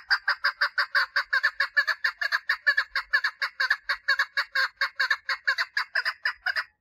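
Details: Mating call of a female chukar partridge: a long, unbroken stream of rapid, harsh chuck notes repeated several times a second, fairly even in pitch and strength throughout.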